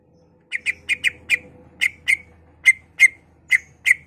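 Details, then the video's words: Greater green leafbird song aimed at stimulating other leafbirds to sing: short sharp chip notes, in quick pairs at first, then spaced singly about every half second, faint low hum underneath. "Pancingan Cucak Ijo Merangsang Cucak ijo lain"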